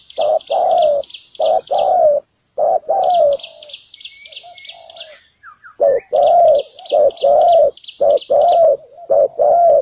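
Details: Spotted dove luring wild doves to a ground trap, repeating deep paired coos over and over, overlaid by a constant buzzy pulsed trill in bursts and a few faint chirps.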